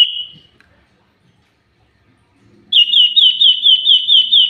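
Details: Common iora in lively song: a brief high whistle fades out, then after a quiet pause comes a quick run of about eight repeated, down-slurred whistled notes at an even high pitch.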